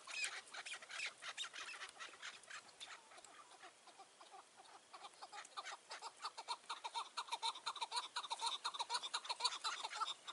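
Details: Partridge calling on a mountainside on a June 2018 evening while being trapped with a decoy bird. Throaty chuck notes come steadily about two per second, growing louder and more rhythmic toward the end.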